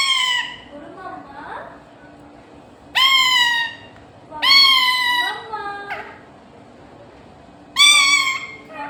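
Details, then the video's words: Talking parrot (totta) trying to say "Mummy": three loud, harsh, strongly harmonic bursts around 3, 4.5 and 8 seconds, the middle one longest, with softer murmured sounds between and a faint steady low hum throughout. "Mummy bolne ki koshish||🙂 talking parrot||bolne wala totta"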